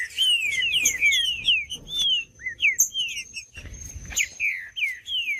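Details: Green-winged saltator song, meant to stimulate other saltators to sing. A rapid string of clear, descending whistled slurs repeats, each note sliding down, with a short break midway. A faint steady high tone persists behind.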